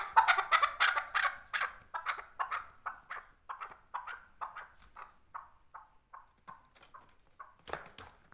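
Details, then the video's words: A male chukar partridge gives a long series of throaty chuck notes, loud and rapid at first, then gradually softer and slower, about three per second, ending with a sharp louder burst. "male chakor partridge voice"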